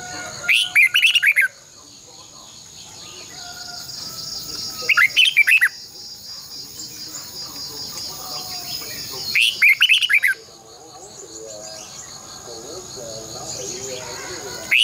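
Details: Red-whiskered bulbul (Pycnonotus jocosus) morning song used for training birds, giving short, bright, bubbly whistled phrases about every four seconds, over a steady high insect hiss and soft chirps from other birds.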